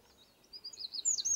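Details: Eurasian wren giving a burst of high, sharp notes that build quickly into loud rapid twittering over a quiet background.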